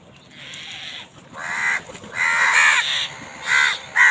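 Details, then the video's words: Several crows contend for food, their harsh, overlapping caws building into a dense squabble, with bursts of loud rasping calls toward the end. "কাকের ডাক Crows fight for food Crow Sound"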